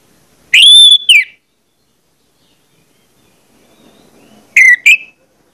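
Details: Orange-headed thrush lure song used to prompt other birds into singing: a loud, clear whistled phrase with a falling end, a pause of about three seconds, then a short, sharp two-part whistled burst. Quiet background otherwise.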